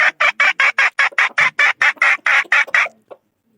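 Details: Decoy rooster, a young third-generation bird of the 2022 season, giving a loud staccato run of about thirteen harsh, evenly spaced bursts over three seconds, ending in silence.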